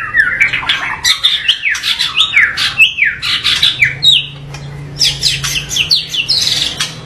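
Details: A white-rumped shama delivers harsh, varied song bursts: loud swooping whistles and rasping chattery notes in fast phrases, a brief pause, then another energetic burst of high slurred notes.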